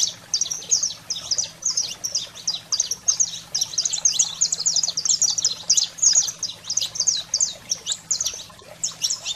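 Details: Long run of saffron finch song in the 'fogo selvagem' style, aimed at stimulating pet canaries; high chirps and buzzy notes tumble almost without pause, building in density midway, over a low hum.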